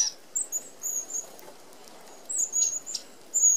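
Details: Flock of red-browed finches at an Australian open aviary feeder; scattered thin, very high drawn-out whistles, a few at a time, separated by short quiet gaps.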